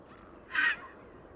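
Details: A grey heron at the Domaine de Certes in France gives one short, harsh, croaking squawk, loud and rasping, over a faint steady background hiss.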